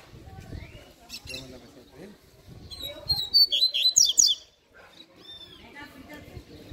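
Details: Double-collared seedeater giving a brief burst of rapid, high, sharp chirped notes lasting just over a second, rising and falling quickly, after quieter scattered chips; people talking softly and low background noise.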